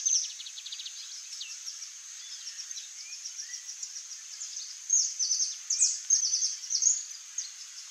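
Saffron finch giving short, high chips and twittering notes in quick irregular series, over a steady high insect-like hiss with other birds faintly around.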